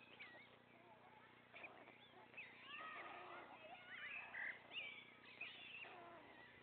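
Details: Nestling white storks, the three that remain, being fed by their father at the nest: a dense tangle of squeaky, cat-like mewing and short warbling slurs, with louder bursts in the second half, steady background hum.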